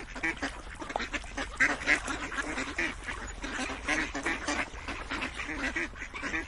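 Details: A flock of ducks keeps up continuous quacking, rough nasal calls crowding closely with uneven rhythm, a few louder squawks standing out near the second mark.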